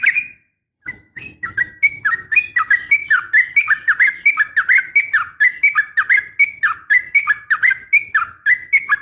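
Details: Yellow-vented bulbul female calling a male with a sharp fighting call, used to make bulbuls respond; quick, bubbling two-part notes repeated steadily after a short pause.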